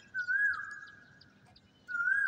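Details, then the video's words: Asian koel calling from a tree beside a rooftop garden at dawn in Khulna city, with fog around: a drawn-out whistled note wavering then falling, followed by a second rising whistle, over soft background hum. "যে ওই পাশের গাছটিতে কপিল ডাকছে।"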